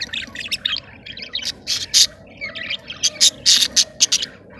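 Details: Budgerigars in a cage, mating and regurgitating food: a quick series of sharp, bright chirps and squawks in uneven bursts, some notes loud and clipped, over a low background murmur.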